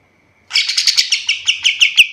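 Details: White-shouldered triller, recorded for training other birds, giving a rough, buzzy chatter that resolves into a string of clearer, ringing chirps about five per second.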